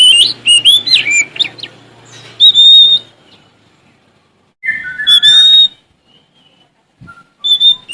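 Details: Male Oriental magpie-robin of Sumatra singing to challenge rivals, delivering phrases of bright rising and falling whistles and sharp chirps in bursts separated by short pauses, with a faint low hum beneath the opening.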